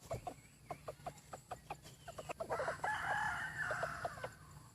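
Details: Decoy rooster praised for its fine voice. A run of soft, rapid clucks is followed by a drawn-out crow lasting about two seconds, with further clucks around it.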